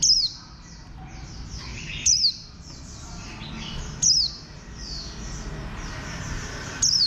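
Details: Green white-eye of bantam shape, a Warbling white-eye, utters crisp high notes sweeping downward, one about every two seconds, four in all, above a continuous background of many chattering small birds.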